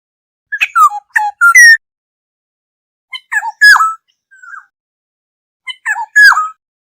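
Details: Lure call of a black-hooded oriole for gathering the flock: three bursts of quick, squeaky, falling notes ending in a strong, rough, descending whistle. A soft short note falls between the second and third bursts.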